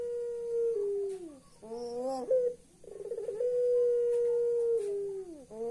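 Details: Laughing call of a puter pelung turtle dove, said to sound creepy: drawn-out steady humming notes that droop at the end, broken by a short buzzy rattle and a quick rising twist.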